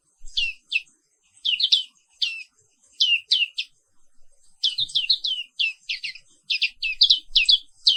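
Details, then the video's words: High, thin chirping of a Papuan 'wiklus' black-capped white-eye in the morning: scattered down-slurred notes at first, then a faster, busier stream of twittering chirps. "Suara Terapi Pagi Pleci Papua Wiklus | Auto Aktif & Ngerol Terus"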